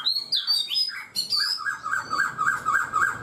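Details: Black-throated laughingthrush in a cage for four months, singing high whistled slides that drop into a quick, repeated warbling phrase, roughly eight beats in under two seconds.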